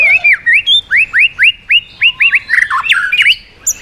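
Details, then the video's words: White-rumped shama singing in swiftlet-like voice to provoke other birds: a steady series of about ten rising whistled slurs, roughly four per second, then a jumbled burst of varied chattering notes. "chòe lửa hót giọng yến reo,bắn dây đảo giọng đánh đuôi kích chim cực mạnh"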